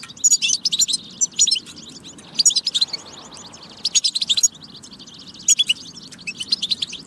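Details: European goldfinch song aimed at prompting goldfinches to sing: energetic high twittering phrases, tinkling and slightly buzzy, coming in bursts with a longer quiet spell in the middle.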